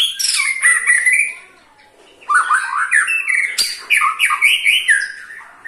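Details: White-rumped shama ketrekan call, meant to make other shamas sing: loud, harsh chattering notes, a short pause, then rapid repeated chips and whistled phrases in a steady, rhythmic series.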